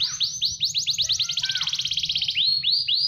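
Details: Prolific-singing (gacor) AFS canary opens with upslurred whistled notes, rolls into a rapid ringing trill of closely spaced syllables, then closes with a few rising swept whistles over a soft low background hum.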